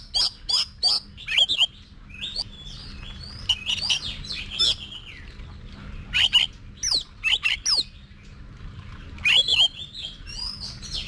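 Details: Oriental magpie-robin being trained for song contests, giving a series of sharp clicks followed by slurred whistled phrases, repeated in bursts, over a faint steady hum.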